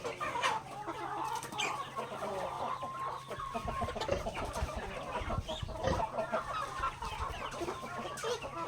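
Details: Chickens in a backyard pecking at grains during feeding, a busy flock of clucks and drawn-out murmurs, with pecking clicks and occasional low thumps.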